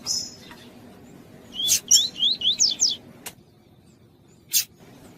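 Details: Lined seedeater (Sporophila caerulescens) female calling to stimulate a male gives a quick run of high, sweeping chirps over about a second, followed by sharp clicks against quiet background noise.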